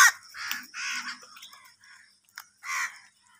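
Crows give harsh, rasping caws, four loud bursts spaced about half a second to a second apart, squabbling over food.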